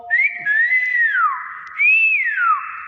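Nias hill myna giving two long, clear whistles that rise, dip and slide downward over about three seconds, with a faint low hum beneath.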